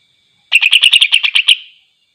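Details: Greater green leafbird song aimed at provoking rival leafbirds: a quick string of about nine harsh, metallic chattering notes over one second, dying out in a thin fading tone; no other sounds.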